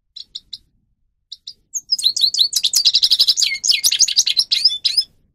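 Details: Sparse high chirps from a grey-crowned goldfinch build into a dense, rapid twittering song with buzzy trills, recorded as training song for captive birds.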